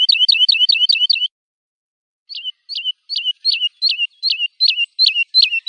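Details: Lark song meant for tutoring young birds: a fast burst of quick sharp twittering notes, a pause, then evenly spaced hooked whistled notes repeated about every third of a second.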